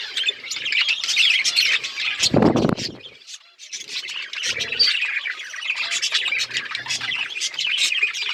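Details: Australian parrots chatter in a lively chorus of high chirps and warbles. A short low thump breaks in about a third of the way through, and another soft one follows shortly after.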